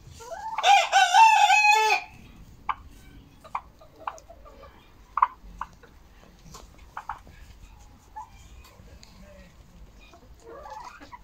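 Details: Chickens from a hen flock, 10 October 2022, Monday, eight eggs that day: a loud, rasping harmonic call of over a second, then sparse sharp clicks and taps and a faint soft call at the end.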